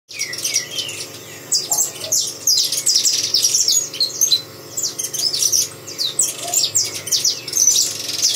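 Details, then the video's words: Saffron finch singing: a steady stream of high, sharp chirps and quick downward-sweeping notes, tightly packed and overlapping, with a few soft lower notes underneath. "canário da terra cantando"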